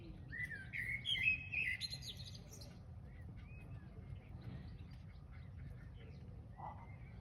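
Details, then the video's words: Bird song at sunset from an unidentified bird: a burst of whistled, warbling notes and quick chirps in the first few seconds, then fainter scattered calls over constant low background noise. "Unique bird singing tune"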